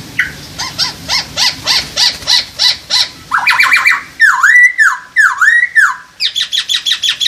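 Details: Masked laughingthrush mating call, for boosting breeding drive: about ten short, harsh notes repeated roughly every third of a second, then a rapid rasping burst, then two long, looping, whistled swoops and more quick harsh notes.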